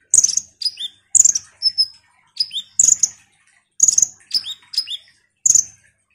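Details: Ruby-cheeked sunbird in lively song, played to provoke other sunbirds: crisp, very high chirps, each trailed by short falling whistles, in rapid irregular bursts on a quiet background.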